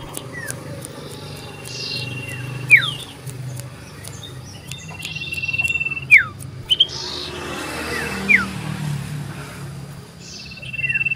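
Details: Common iora singing loudly to seek a rival, 27 December 2022: drawn-out level whistles, each ending in a steep downward slide, repeated every few seconds over soft background clicks and faint chirps.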